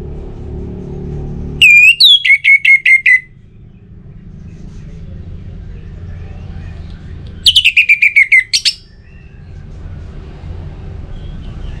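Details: Orange-headed thrush song used as a lure to prompt other birds to sing: two loud bursts, each a quick run of six or seven clipped, high whistled notes, separated by several seconds of low rumbling background noise.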